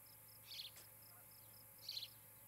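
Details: Osprey at a nest in Charlo, Montana, on a camera on a July 2018 evening; two brief high chirpy bursts about 1.4 seconds apart, with an even train of high insect-like pulses and a faint hum.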